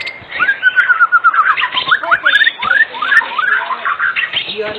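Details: Lure song of a white-rumped shama, used to get other shamas singing: dense, fast whistled phrases with descending slurs and squeaky notes, delivered in quick succession without pause.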